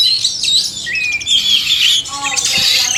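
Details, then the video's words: Male and female oriental magpie-robins in a chorus recording for caged birds, a dense run of clear whistles, sweeping slurred notes and scratchy chirps with almost no breaks, over a faint steady low hum. "suara kacer/sekoci jantan dan betina merangsang bunyi"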